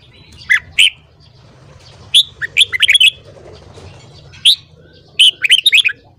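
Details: Red-whiskered bulbul being trained to sing in the morning: bursts of bright, warbling whistled notes, some swooping down and some rising, in short phrases around half a second apart, with a low hum beneath.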